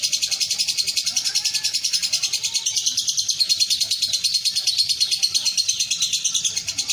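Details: Caged lovebird that won first class at a bird contest in Betung Banyuasin, Palembang: a sustained, piercing, fast-chattering trill running the whole stretch without pause, slightly dipping in pitch midway, over distant crowd noise.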